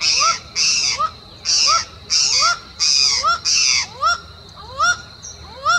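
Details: Laughing falcon (acauã) by a trail at Posto Laranjeiras, Uberlândia, Brazil: harsh raspy bursts alternate with clear rising slurred notes, the upward whistled calls taking over toward the end, above a continuous high whine.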